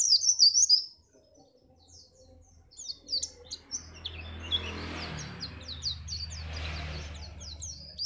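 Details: Pleci, a white-eye, singing to spur other birds before contests: a loud, dense twittering burst opens, then fainter quick high chirps run on under a steady low rumble and broad noise.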